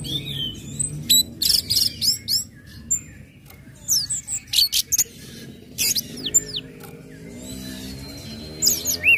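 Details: Orange-headed thrush song of ngecip, ngecit and ngeplong phrases meant to draw other birds into song; bursts of high chips and slurred whistles separated by brief pauses, ending with a rising whistle.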